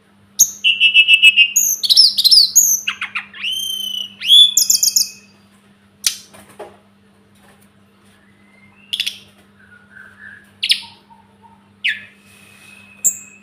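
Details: Sunda robin (tledekan gunung) song used as tutor material for cage birds: a dense five-second burst of varied high whistles, rattling trills and slurred notes, followed by scattered single chips, short buzzy notes and a thin held whistle.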